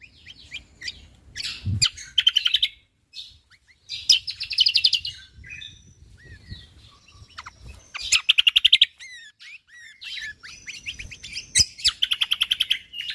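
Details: Lombok white-eye singing hard with rapid chattering phrases: high squeaky twitters, quick rattling series of repeated notes, downslurred whistles and scratchy trills, broken by brief pauses between bursts.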